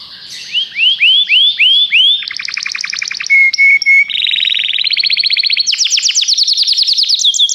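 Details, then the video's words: Canary song changing tours quickly: rising swooped whistles, a fast rattling series, short level whistles, then progressively higher, very rapid trills. "Canários cantam"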